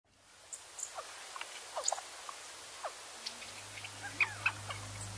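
Quail give a scatter of short squeaky peeps and chirps, several a second at uneven intervals; a low steady hum comes in partway through.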